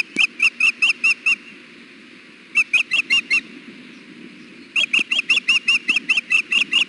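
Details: Nesting female osprey at Hellgate on a hot June 2016 afternoon, fussing to be fed while the male stands on the nest. Three bursts of six or seven quick, piercing chirps, separated by pauses of about a second, over faint background hiss.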